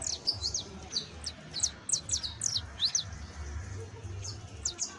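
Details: Saffron finch singing, its song offered to help train a wild-type canary: clusters of sharp, high, downward-slurred chips in rapid bursts with short pauses, against faint low hum.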